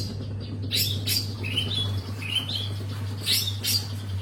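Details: Busy long-tailed shrike song of harsh squawky notes interleaved with short rising and falling whistles, repeated at a brisk pace above a constant low hum.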